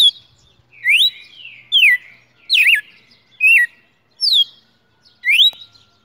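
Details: Caged champion red-cowled cardinal singing in hand one morning in December 2018: bright whistled notes that swoop up or down, several with a wavering twist, about six phrases spaced evenly, with a faint low hum between them.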